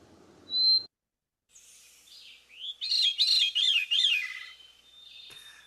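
Hermit Thrush singing: a clear, held whistled note, then a high, fluty, tumbling phrase of quick spiraling notes that fades out. A short burst of low noise comes first.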